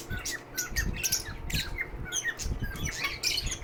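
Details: Harsh, grating squawks and quick chirps from captive lovebirds at a sick-bird shelter, delivered in dense overlapping bursts, with low thumps and hum underneath.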